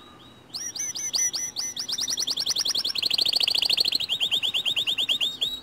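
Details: White canary singing as a lure to spur other canaries into song: fast repeated whistled syllables shifting into a long rolling trill of quick uniform notes, with a brief quieter lead-in.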